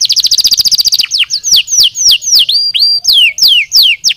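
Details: Canary song for stimulating singing: a quick regular trill for about a second, then a string of clear, strongly falling whistled slurs, including one long level note, repeated at a steady pace.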